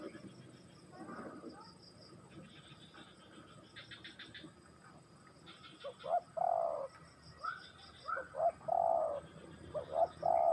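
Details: Spotted dove (tekukur) song: after a quieter stretch of scattered high chirping from other birds, clear low rounded coos build up in the second half, delivered in irregular clusters.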